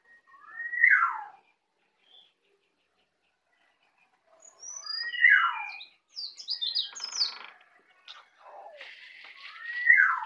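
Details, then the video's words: Young native Bali white-eye learning the ngeplong song: loud falling whistles separated by pauses, with a brief cluster of high chips and a buzzy rattle between them. "Pleci Bali baru Belajar ngeplong"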